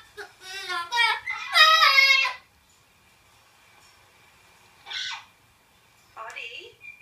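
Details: A 10-year-old male pet Yellow-shouldered amazon indoors gives two seconds of whiny, speech-like wavering calls, then two brief harsh squawks after a pause, over a faint steady indoor hum.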